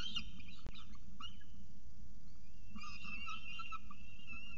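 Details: Peregrine falcon at the CSU Orange nest with pigeon prey, early morning, 24 October 2018; scattered short squeaky calls, a knock, then a burst of wavering whines, with low background rumble.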